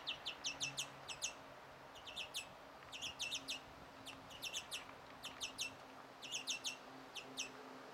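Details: European greenfinch young being fed by a parent on 1 June 2017, begging in short clustered bursts of three to five high, sharp chirps, repeated about every second, with a faint low background hum.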